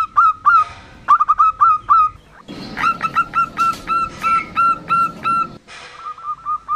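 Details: Female zebra dove of local stock, its call played to lure males into sounding or to attract wild doves; short bright notes in fast bursts, with a rough, noisy patch under a middle stretch of repeated notes.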